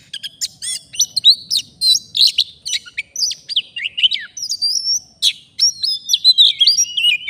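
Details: Wild forest Oriental magpie-robin responding to a fighter decoy during bird trapping, delivering a rapid energetic song of clicking chirps and buzzy bursts that shifts into long sliding whistles and trills.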